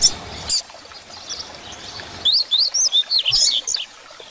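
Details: Tutor song in the grego style from a double-collared seedeater, for training young birds: a couple of faint notes, a quiet pause, then a quick series of bright, rising and falling whistles.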